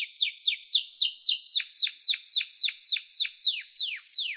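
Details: Singing canary delivering evenly spaced downward-sweeping notes, about four per second, some dropping lower than others, in a clean recording without background noise.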